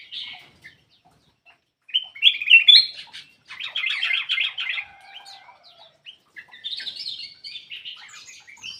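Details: Black-crested bulbul singing, played to coax reluctant birds into song: chattering, rapidly warbled phrases run together for several seconds, with a brief quiet start.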